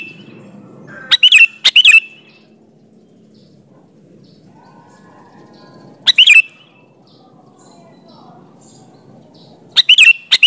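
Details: Lively sooty-headed bulbul phrases used as a lure for other bulbuls: a pair of quick chirpy bursts, then single bursts about four seconds apart, each a few fast whistled notes, with long quiet low-noise stretches between.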